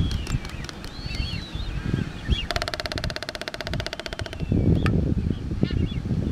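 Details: Waved albatross in courtship display on the Galapagos Islands: a fast, dry rattling clatter lasting about two seconds, with faint higher calls before it and steady wind rumble throughout.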